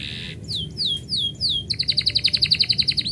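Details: Pet canary singing when its owner is about to leave: a short buzzy note, four slow downward-sliding whistles, then a fast, evenly pulsed chirping trill.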